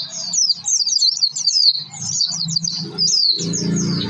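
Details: Oriental white-eye lure song meant to set other birds singing: fast high chattering twitters run on without pause, with low guitar-like music and a humming background underneath, growing louder toward the end.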